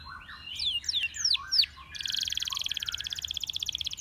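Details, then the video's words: Canary song, a Belgian canary drawing other canaries into singing: a few slurred falling whistles, then a long rapid high rattle pulsing steadily, with faint room hiss beneath. "The sound of This Belgian Canary Attracted Many Canaries to Sing"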